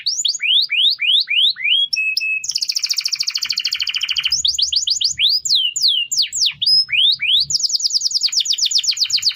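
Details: Canary master song intended for training other birds: rising whistled sweeps, a brief held tone, a long fast buzzy trill, more swooping notes and another rapid trill; faint low hum.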